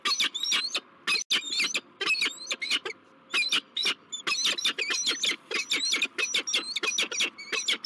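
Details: Wild peregrine falcon pair, a male and a newly arrived female, at a bluff nest site in La Crescent, USA, on 16 March 2023: loud, grating, rapidly repeated call notes in long excited volleys with brief pauses, over a faint background hum.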